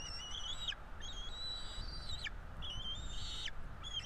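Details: Two Bald Eagle chicks in a Florida nest at feeding time, 5 April 2022. Long, thin whistled calls rise slightly and end in a downward slur, with four drawn-out calls separated by short gaps over a low background rumble.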